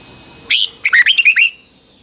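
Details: Caged red-whiskered bulbul of Thailand's Pa La-u type singing phleng boen style: a clear high note, a short gap, then four or five quick chirpy warbles rising and falling in a one-second burst.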